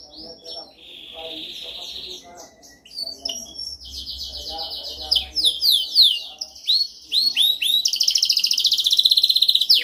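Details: Canary song meant for training: a soft buzzing trill, then loud fast rolled trills and sharp upward-flicked notes, ending in a high, intense rattling trill.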